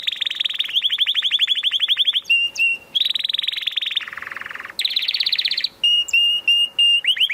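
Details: Canary delivering a long, varied song: rapid rolling trills at several pitches, a low buzzy trill in the middle, and bright sustained whistles repeated between the trill runs.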